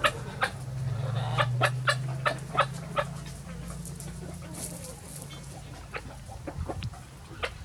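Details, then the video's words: Several free-range chickens of mixed breeds on a sunny farm, uttering brief clicky clucks in loose runs, busier at the start and sparser later, against low steady noise. "Chicken sound effects"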